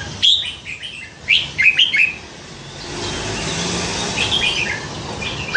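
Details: Captive Red-whiskered bulbul, hand-caught as a weak fledgling by a canal-side tree and kept nine months, noted for many varied songs: quick bright warbled notes around 0.3 seconds and 1.3–2.2 seconds, with fainter phrases later.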